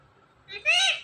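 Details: Pet ring-necked parrot uttering a two-syllable word in a high, humanlike voice. A soft first part runs into a louder, sustained, slightly falling second syllable.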